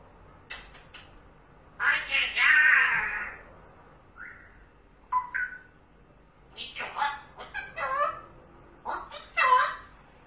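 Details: Pet parrot reacting to a cat seen through the window, giving a string of harsh, broadband, speech-like bursts and short nasal squawks spread across ten seconds, separated by quiet gaps.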